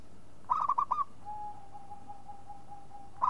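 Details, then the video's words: Zebra dove of local stock (perkutut lokal) delivering one rolling phrase of about five fast, clipped coo notes, then a faint steady tone before the next phrase begins. "SUARA MEMANGG PERKUTUT LOKAL"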